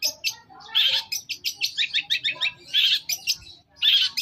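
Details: Long-tailed shrike song played as a masteran to draw an answer: harsh buzzy bursts broken by quick rhythmic chattering notes, about four per second, loud and high, with little background noise.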